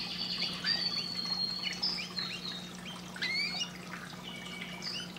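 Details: Canary song played to stimulate breeding: faint, high thin whistled notes and quick rising and falling slurs run continuously over a steady low electrical hum and a grainy background hiss.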